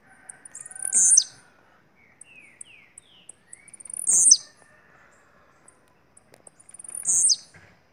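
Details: Bahian blue-black grassquit giving three short, high buzzy notes about three seconds apart. Soft rising whistles from another bird and light clicks fill the gaps.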